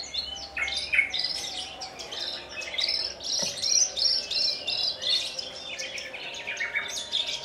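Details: Captive Javan bush lark from Kulon Progo, Indonesia, one of a large collection, known to hover before landing on a perch stone and singing in the Jambul style while trembling its wings; dense, varied high chirps and trills in continuous rapid bursts.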